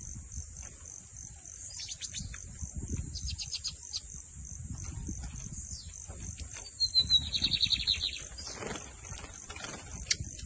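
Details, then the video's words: Lined seedeater from Brazil giving a short, fast buzzy trill of rapidly repeated notes lasting over a second, preceded by scattered high chirps, over a steady high insect-like hiss and low rumbling background noise. "BIGODINHO MAGNATA FOI PRA CIMA COM TUDO DO TORNEADO SOLTO!"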